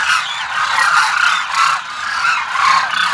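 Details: Demoiselle cranes at Kheechan, Jodhpur, Rajasthan, seen from a house: a dense flock calling together in a continuous rolling chorus of overlapping trumpeting and honking notes that swells and fades.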